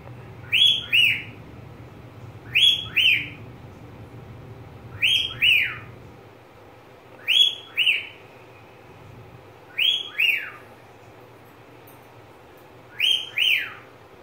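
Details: Caged pet budgerigar repeating a double whistle, six pairs of rising-then-falling notes spaced roughly every two to three seconds, against a low background hum that fades partway through.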